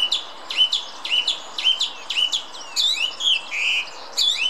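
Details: Singing song thrush, Munich Botanical Garden in Germany: rapid repeated short whistled motifs, roughly six identical notes in a run, then varied slurred and rasping figures, all against a quiet background.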